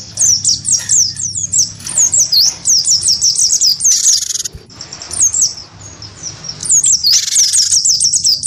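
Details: Wingko-type cinereous tit singing hard in a sound duel with a white-eye: quick chains of high twisting whistled notes, with a loud buzzy rasp near the middle and another toward the end.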